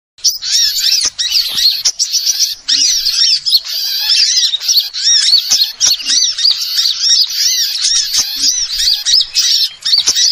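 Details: Small birds on a lure recording used for trapping wild birds: dense, overlapping high chirps and twittering squeaks packed into a near-continuous chorus, with only brief gaps throughout.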